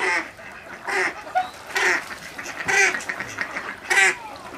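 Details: A White-headed duck (Oxyura leucocephala) at WWT Slimbridge gives five harsh, nasal quacking bursts at uneven intervals of about a second, over a faint steady background hiss.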